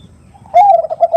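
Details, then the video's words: Female perkutut calling a male in the prized 'nutut' style: a faint lead-in note, then a sudden loud, low, pulsing coo with rolling beats to the end. "Suara Khas Pancingan Suara Khung Suara Besar"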